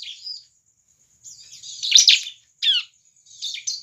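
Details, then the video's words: Energetic bar-winged prinia song meant to prompt other prinias to sing: scattered high twittering bursts, a loud buzzy chirp and a sharp downslurred note, over a steady thin high tone. "suara burung CIBLEK GACOR cocok untuk pancingan ciblek bahan agar cepat gacor"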